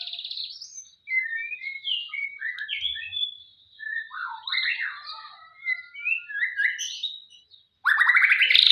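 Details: Male white-rumped shama in morning song while sunbathing: a varied string of rich whistled phrases that swoop up and down, with short pauses between them. It ends with a loud burst of harsh, buzzy notes.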